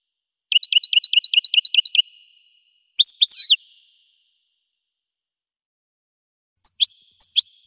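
A goldfinch sings a quick run of about eight high, bright chirps, then a twittering phrase and a few more sharp notes, with silence between.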